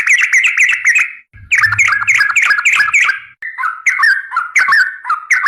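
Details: Trucukan garuda, a yellow-vented bulbul singing actively in a clear training recording for cage birds: rich warbled whistles tumbling up and down, delivered in fast phrases split by two short silences.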